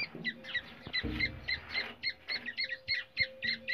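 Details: Black francolin call from India, forest, played to lure and trap francolins: steady series of scratchy, paired squeaky notes about three per second, over a faint low hum and a brief thumping noise.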